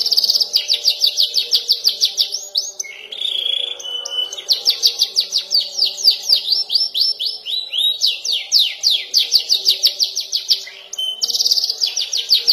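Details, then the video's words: Young canary learning to roll and trill: long runs of quick high repeated notes, rolled trill phrases changing pitch every few seconds, brief whistled tones between, with a faint low hum beneath. "KENARI paud belajar ngeroll dan nembak"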